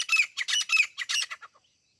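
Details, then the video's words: Grey francolin, the local teeter, in a hunting-sound recording: a quick run of five or six harsh, scratchy notes fading out within two seconds. "desi teeter birds ♡grey partridge♡ grayfrancolin hunting sounds"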